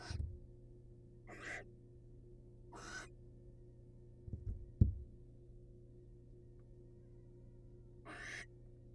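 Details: Male barn owl bringing prey to his female companion, both wild. Several short rasping, hissy screeches come at irregular intervals, with a pair of dull knocks or thumps midway and a constant low background hum.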